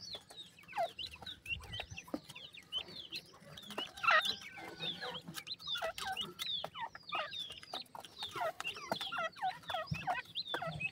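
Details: Pakistani partridge chicks keep up a crowded, restless chatter: quick high-pitched peeps rising and falling, many birds overlapping nonstop, with a few louder bursts and a soft low rumble behind.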